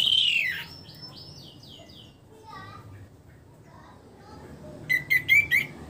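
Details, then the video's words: Orange-headed thrush kept in a cage, singing after its moult: a loud descending whistle, then soft scattered twitters and a short burst of quick, buzzy repeated notes near the end. "memancing suara anis merah setelah ngurag"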